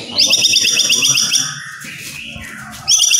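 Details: Captive white-rumped shama singing, used to stir quiet birds into song: a fast, high trill of about a dozen repeated notes, a softer sustained whistle, then the trill starting again.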